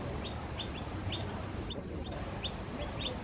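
Noisy Miner giving short, sharp high chips in quick succession, about two or three a second, over a steady low rumble of background noise.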